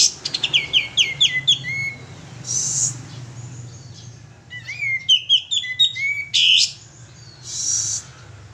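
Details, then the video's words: Male sooty-headed bulbul, vocal lure: rapid run of stepped whistled notes, a buzzy burst, then another twisting whistled phrase with a harsh note, steady background hum. "suara pancingan burung kapas tembak jantan gacor"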